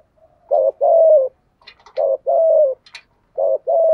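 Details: Spotted dove cooing as a decoy call to lure wild doves: three paired phrases, each a short low note followed by a longer, slightly falling mellow coo, repeating about every one and a half seconds, with faint soft chirps between.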